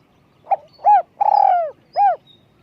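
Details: Spotted dove singing in a small, high voice for luring: one phrase of brief opening note, arched coo, extended burry coo and a last arched coo, with a thin high whistle faintly behind.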